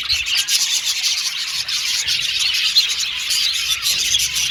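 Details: Contented Australian budgies make a dense, high, slightly scratchy chattering, with soft tweets blending into one unbroken flock sound.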